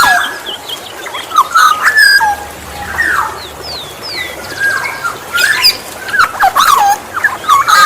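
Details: Kepodang emas, the Black-naped oriole, used to attract other orioles: short mellow whistled slurs repeated in bursts, mixed with rapid high twittering and downward-sweeping calls from other birds.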